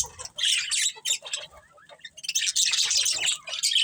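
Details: Budgerigars of a breeding colony squawking and chirping: harsh high squawks open, a quieter lull of soft chirps follows, then a loud burst of scratchy twittering.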